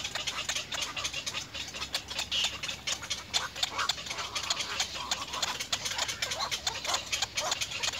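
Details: Little egret young in the nest begging the adults for food: a sustained, harsh, clattering chorus of quick clicks and short rasping notes over a faint steady hum.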